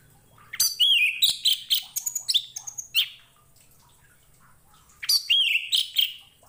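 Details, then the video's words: Orange-headed thrush song used for teaching other kept birds: a lively string of whistles mixed with scratchy, chattering notes for about two and a half seconds, a pause, then a second whistled, buzzy phrase. "KICAU ANIS MERAH"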